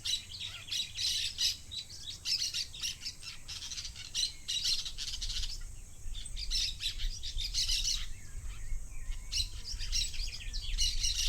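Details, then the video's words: Parakeets in a flock give a steady chatter of shrill chirps and short squawks in uneven bursts, several birds overlapping, over low background rumble. "SONIDO DE BANDADA DE PERICOS"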